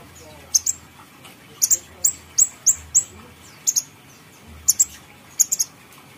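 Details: Grey-headed canary-flycatcher, recorded as bait to set birds singing, giving bright high whistled notes in pairs and short bursts, each sharply accented, spaced about every half second to second.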